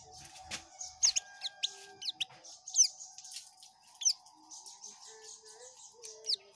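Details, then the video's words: Oriental white-eye singing in ngekek style: high rapid chattering trill with many sharp down-slurred notes scattered throughout, over a faint lower steady hum. "Burung pleci ngekek"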